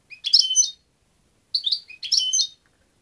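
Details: European goldfinch giving three quick bursts of liquid, twittering notes, the first and last longer and richer, a brief pause between, with no other sounds.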